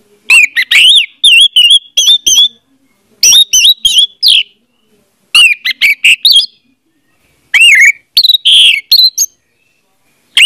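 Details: Orange-headed thrush singing, recorded as a lure to prompt a silent bird into song: loud, varied phrases of rich whistles with upward and downward slurs and chattering notes, delivered in bursts separated by brief pauses.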